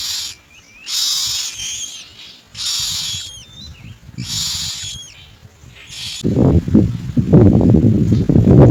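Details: Common myna feeding its young, giving three loud rasping hiss bursts each trailed by short whistled upslurs, then loud low thumping and rustling noise takes over.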